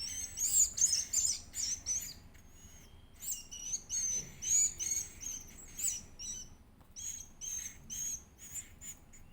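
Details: Edible-nest swiftlet chick eating: shrill high chirping in uneven clusters, loud runs of rapid squeaks broken by short pauses, with quieter single calls toward the end.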